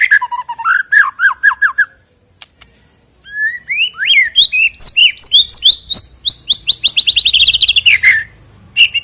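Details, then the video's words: White-rumped shama song used as a prompt to get birds singing before a songbird contest: rich, fast phrases of whistled notes and rapid repeated chirps, sweeping and varied, with a short pause near two seconds, then dense continuous warbling. "EFEKTIP AGAR CEPAT BUNYI BUAT PANCINGAN MURAI BATU JELANG LOMBA KICAU"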